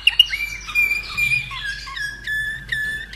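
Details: Slavujar canary, hatched in 2011 in Austria, delivers a short phrase of smooth, long whistled tones that step down in pitch, with a few sharp notes at the start.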